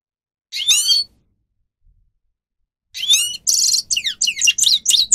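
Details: Grey-crowned goldfinch song for teaching caged birds: one brief twittered phrase, about two seconds of silence, then a fast string of buzzy trills and high slurred notes.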